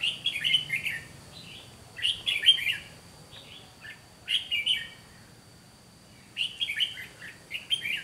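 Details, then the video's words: Red-whiskered bulbul decoy facing wild birds at a trap gives energetic, repeated bursts of bubbling, whistled chatter, clusters roughly every two seconds with short gaps, loud and close, with a faint high whine beneath. "Bẫy chào mào Mồi Má lỡ ra trận gặp ngay hàng Cứng"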